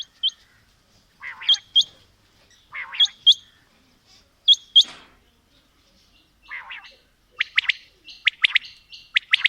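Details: Quail (batair), female and male calling in a mixed recording: short sharp chirped notes, often in pairs, around every one to one and a half seconds, quickening into a denser burst of notes near the end; quiet background.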